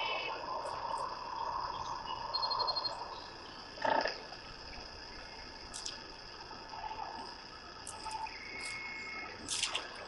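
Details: A dense chorus of Sandhill cranes waking at their night roost on a cold April morning in northwest Colorado, rolling, trumpeting calls blending into a continuous rattling roar, with louder nearby bursts and faint hiss.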